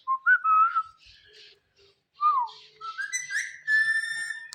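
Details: Pet green Indian ringneck parrot vocalizing loudly: a series of whistled, gliding tones with bright overtones, some rising then falling, separated by short pauses, with faint words of mimicked speech nearby.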